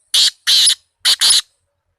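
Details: Black francolin (kala tetar) giving a loud rasping phrase of four harsh, buzzy bursts in two pairs, the second of each pair longer, delivered within about one and a half seconds against a silent background.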